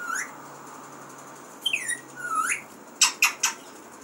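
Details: Pet talking parrot giving a rising squeaky note, a pause, then a few quick whistled upslurs and three sharp high squawks at the end, all indoors.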